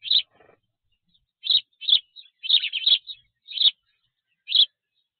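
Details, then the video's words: Spanish sparrows around a black stork nest in the Tajo Internacional area of Spain, where they build ball-shaped nests within the stork nest: loud, harsh, high chirps given singly and in quick pairs, roughly once a second, in otherwise quiet surroundings. "hiszpańskie wróbelki"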